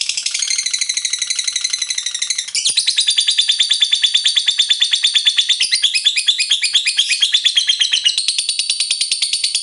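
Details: Lovebird giving the long 'ngekek panjang' chatter that hobbyists prize in fighter birds, used to prompt other lovebirds to sing. A shrill, rapid trill runs unbroken for nearly ten seconds, shifting texture midway.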